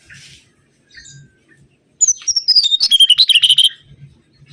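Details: A mangrove whistler's song for luring birds: a few soft quiet notes, then a loud rapid phrase of sharp whistled notes tumbling up and down for nearly two seconds.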